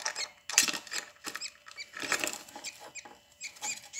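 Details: Three budgerigar chicks in a nesting box beside their mother make harsh, rasping high squeaks in overlapping irregular bursts, with short quiet gaps between the louder clusters.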